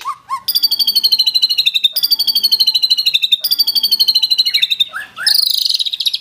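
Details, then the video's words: Murai batu, the white-rumped shama, singing actively with rich mimicked fill-ins and rapid 'tembakan' bursts: fast high rattling trills repeated in long runs, broken by brief lower whistled slurs. "MURAI GACOR BONGKAR ISIAN !!! MURAI BATU ISIAN MEWAH FULL TEMBAKAN"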